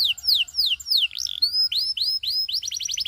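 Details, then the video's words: Loud Belgian canary song aimed at attracting other canaries: a few slow, sharp downslurred whistles, a warbled twist, then rising chip notes that quicken into a rapid trill. "A Special Canary to Seduce All The Canaries - The Belgian Singing Canary"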